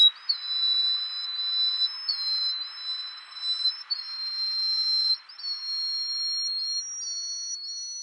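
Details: Yellow-bellied Bush Warbler of the Taiwan endemic subspecies, a resident bird, recorded at Tataga, Taiwan, on 9 April 2015: a long series of thin, high, drawn-out whistled notes, each held under a second and rising slightly in steps, over a faint hiss.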